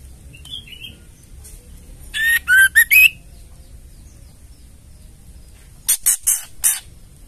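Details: Ketrekan from a female white-rumped shama, meant to goad males into singing: a faint short whistle, then a tight group of four buzzy notes with rising whistled tones, and after a silence four dry, rasping chatters.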